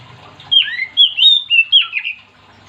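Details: Oriental magpie-robin in full song, used to prompt other magpie-robins to sing: a quick run of bright whistled phrases, swooping and slurred, some rising and some falling, about six notes in under two seconds.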